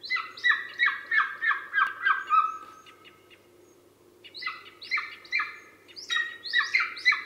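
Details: Golden eagle (Aquila chrysaetos), call.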